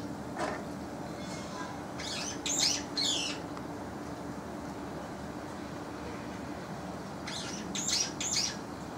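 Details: Young brown-eared bulbuls call back and forth in a spring-to-summer calling contest: two pairs of sharp, high, squeaky notes, one pair near the start and one near the end, with quiet background hiss between.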